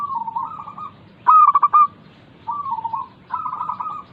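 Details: ['Local zebra dove song, used as a lure to prompt lazy doves to sing: soft cooing phrases near one pitch alternate with a louder burst of rapid staccato pulses ending in a held note, repeated every second or so.']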